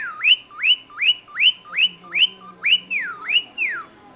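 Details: Pet cockatiel imitating a car alarm: a steady run of bright whistled sweeps, each climbing sharply and then sliding down, repeated about two and a half times per second, with the last few notes stretched into longer falling glides.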